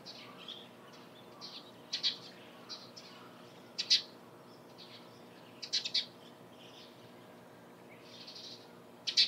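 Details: A Dusky thrush near Lake Hamana and Kanzanji onsen, Japan, in the morning gives sharp, high chirps, single and doubled, irregularly every second or two, over a soft hiss.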